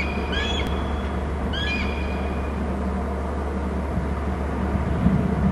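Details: Eagle pair calling near their nest on Hornby Island: two brief bursts of high, thin, stuttering whistled notes about a second apart, then only steady low rumbling background noise.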